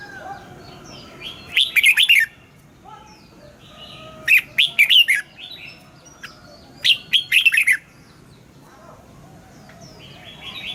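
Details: Red-whiskered bulbul kept in a cage, morning song for training birds in a wild double-note style: three separate phrases of rich warbled whistles spaced a few seconds apart, with faint chirps from other birds between them.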